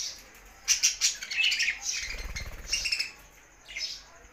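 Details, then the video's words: Budgerigar singing, a quick cluster of sharp squeaks and warbled chatter, then a fluttering wingbeat and a few trailing chirps. "Budgies Sounds for Lonely Happy singing"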